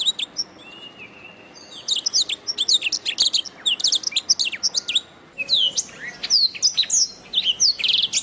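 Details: Canary song recorded as a training master for songbirds: a long run of high, varied chirps, quick trills and sweeping whistled notes, with one brief break before a second phrase of sharp rising notes.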